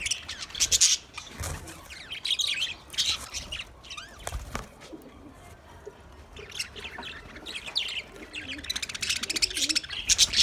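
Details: Budgerigar in a cage giving clusters of sharp, high chirps and chattery notes separated by quieter pauses, with a few dull low thumps that may come from movement in the cage, and louder chirping near the close.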